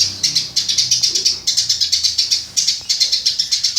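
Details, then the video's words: Burung gereja, the Eurasian tree sparrow, chirping for songbird tutoring; a steady stream of high, sharp chirps repeated roughly five times a second, nearly unbroken throughout. "Burger alias Burung gereja untuk masteran"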